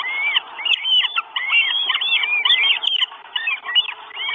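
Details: Northern goshawk nestlings, four chicks at a nest in Estonia on 1 June 2022, calling for food with a rapid stream of shrill, wavering squeals and curling calls, overlapping continuously, with occasional sharp clicks.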